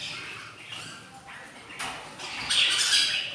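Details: Hungry budgerigar chicks, three hatched from eight eggs, four days old in a breeding setup, give harsh, raspy, hissing squawks that rise and fall in bursts and grow louder toward the end.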